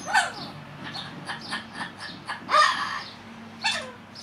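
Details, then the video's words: A male pet cockatiel chatters to himself when he thinks no one is watching, in scratchy, buzzy mimicked syllables, with louder harsh bursts at the start, midway and near the end. "Corella Parrot Talking | Pixel Waffling Away to Himself"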